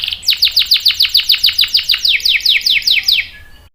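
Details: Canary song used to lure and train young males: a fast, even series of about seventeen bright, high descending trilled notes, each sweeping downward, ending abruptly.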